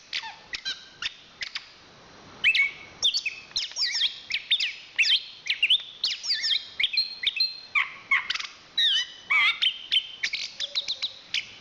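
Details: Champion chestnut-capped thrush from Southeast Asia opening with sparse sharp chips, then breaking into a long, rich torrent of rapid whistles, trills and mimicked-sounding chatter.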